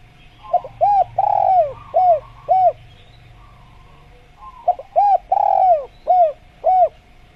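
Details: Spotted dove (tekukur) repeating its coo phrase twice, about four seconds apart, in training audio meant to get tekukur calling: stutter notes, arched coos and a long falling coo in each phrase, with faint buzzy trills from another bird.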